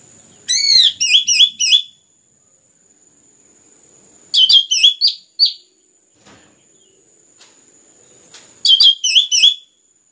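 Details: Anis merah, the orange-headed thrush, repeating a looping phrase of quick whistled notes three times, with long quiet gaps between; sung to stimulate other birds to sing.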